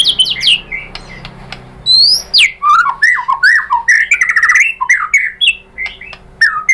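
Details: White-rumped shama song used as a lure to provoke other shamas to sing: rich varied phrases of clear whistles, sweeping slurred notes and rapid chattering bursts, fast and loud, with a faint low hum beneath.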